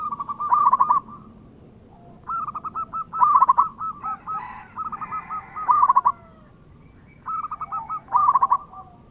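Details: Zebra dove, a local bird in full song, used as a lure to prompt replies. Bubbling, stuttering coos repeat in short bursts. Louder and softer phrases overlap, suggesting two singers trading rolling notes.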